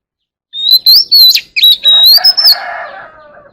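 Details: Oriental magpie-robin singing to call the flock. Quick clear whistled notes are followed by a harsh, buzzy, descending rasp that trails off.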